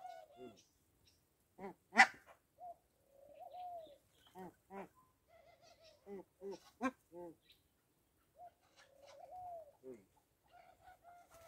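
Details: Rock dove at a farm: soft, low, rolling coos with a slight rise and fall, in short phrases separated by pauses, mixed with other brief harmonic calls and a sharp loud note.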